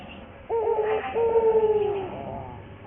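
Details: Barbary dove (puter, local bird) cooing in a song used as a lure for training: one phrase with a clipped first note and a long, trembling, slowly falling coo, over a quiet hissy background.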